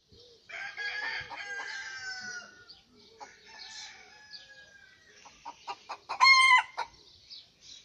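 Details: Rooster crowing in the morning: after a stretch of mixed clucking and scratchy calls, one short, loud, harmonic cock-a-doodle-doo bursts out near the end of the clip.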